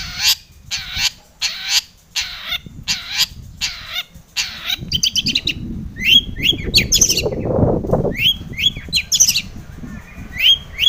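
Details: Long-tailed shrike in full, lively song used as a lure to provoke other shrikes into singing: a run of harsh, raspy, evenly spaced notes, then bright whistled chirps and sharp upslurred notes with low rumbling noise beneath.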